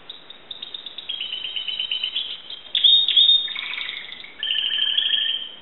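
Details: Timbrado canary from Greece singing a chain of rapid rolling trills, a brief bright loud flourish midway, then a steady high trill over a lower rolling tone.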